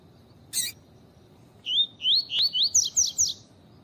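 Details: Double-collared seedeater female call, tui tui style, used to excite males into song during training: after a single sharp click, a series of seven rising slurred whistles, the later ones higher and faster, in a quiet background.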